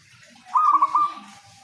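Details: Local zebra dove in full, prolific voice, used as a lure to prompt other zebra doves to sing: one short bubbly phrase of four to five quick rolling coos at an even mid pitch, about half a second long, with faint background noise.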